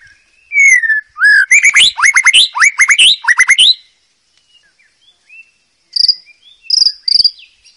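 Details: Wild white-rumped shama singing a training song for young birds. A clear falling whistle opens a loud, rapid run of rising, hooked notes. After a pause, a few high, sharp calls follow.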